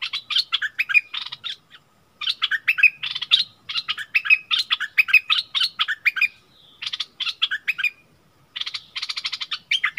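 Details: Bulbul in a heated song exchange with a wild bird, March 2021; clusters of quick chirpy phrases separated by short pauses, including a drawn-out buzzy note toward the end.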